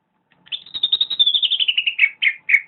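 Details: Greater green leafbird delivering a fast trilled run of high whistled notes that slowly descends, then breaks into three separate sliding whistles, in the vigorous gacor manner.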